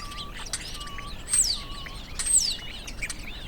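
Common Starling song: short flat whistles repeated about once a second, two loud high whistles sweeping downward, and scattered clicks and scratchy notes.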